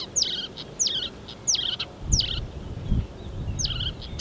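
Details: Marsh warbler (Acrocephalus palustris) song, 15 May 2020: sharp, high down-slurred notes with buzzy tails, repeated roughly every two-thirds of a second, over low rumbling background noise.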